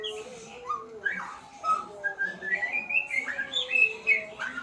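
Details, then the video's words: White-rumped shama practising sounds with a sequence of clear whistled notes, some sliding upward, building into a quick, lively series of rising and falling whistles toward the end. "Murai pastol belajar Bunyi"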